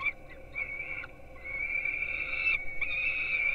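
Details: Young peregrine falcons at a nest in Gdynia, Poland, filmed by a live webcam at 4:21 am on 5-11-16 while being fed breakfast. They give drawn-out, whining, harmonic screams, nearly continuous with brief breaks, over low background rumble.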